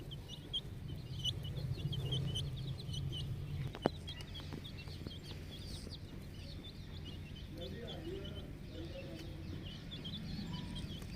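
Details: A flock of 10-day-old chicken chicks on a poultry farm, peeping constantly in a dense overlapping chorus of short high chirps, with a steady low hum beneath and a single sharp knock partway through.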